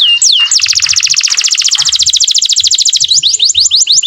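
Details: Vigorous canary song with ornate variations, meant for training young canaries to sing; a couple of swooping whistles lead into a long, rapid trill of steady pulses, then quick rising swoops close the phrase.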